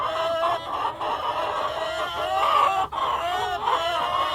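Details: Cockerel and hens calling together in continuous harmonic clucking, with brief dips and a couple of sharp clicks between the rising, wavering notes.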